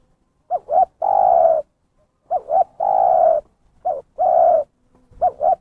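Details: Zebra dove lure call, strong and clean: repeated phrases of two quick rising notes and a drawn-out coo, four phrases at steady pace with brief silences.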